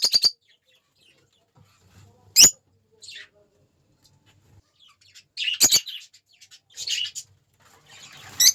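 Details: Lovebirds giving short bursts of high, shrill chirps and squeaks, separated by quiet pauses. Several sharp, loud clicks punctuate the sequence, and faint low hum sits underneath.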